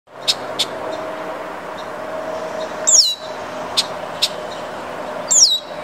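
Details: A red-winged blackbird in Grand Rapids, Michigan, gives sharp, separate chips and two high, down-slurred whistles about two seconds apart, over a steady roar of traffic.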